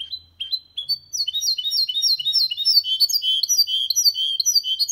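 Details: Hybrid of goldfinch and canary delivering an error-free song used to coax males into singing and help chicks memorise it; fast, bright, high-pitched twitters and trills tumbling continuously, roughly four notes per second.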